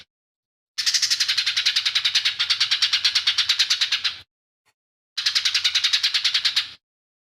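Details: Lesser green leafbird pouring out song laced with imitations of other birds. A long, rapid, rattling trill lasts over three seconds, then a pause, then a shorter matching buzzy rattle.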